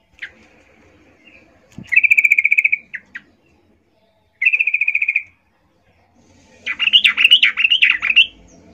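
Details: Yellow-vented bulbul female calling males, used to lure them: level, rapid buzzy trills lasting about a second each, a couple of short notes between, then a lively bubbling warbled phrase near the end.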